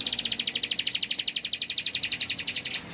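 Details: Bar-winged prinia (ciblek) in powerful ngebren singing: an unbroken, very fast high trill of sharp repeated pulses filling three seconds, slightly slowing toward the end.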